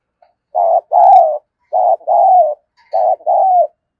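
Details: Decoy spotted dove cooing in the morning in the thúc and chiêu calling styles: three phrases, each a short low hoarse coo followed by a longer wavering coo that slides downward, with a faint chirp in between.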